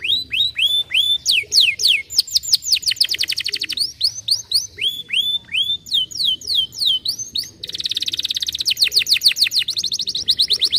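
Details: Stimulating canary song for quiet birds: varied phrases of upturned whistles, quick repeated falling notes and fast rattling trills, switching tours every few seconds, ending in a dense buzzy trill.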